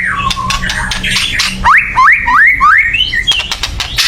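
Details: Agitated white-rumped shama, sound used to provoke singing: soft warbling, then four quick upward-sweeping whistles in a steady series, closing with dry clicks.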